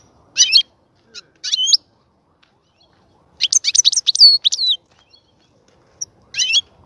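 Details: European goldfinch, kept while a breeding cage is being prepared, singing short bursts of bright twittering and slurred whistled notes with silent gaps between phrases, ending in a louder tumbling twitter.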